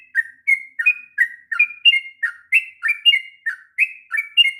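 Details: Sooty-headed bulbul in long rolling song, a tutor recording for young birds; sweet whistled notes come in quick pairs, a low slurred chirp then a higher clear tone, repeated evenly with short gaps.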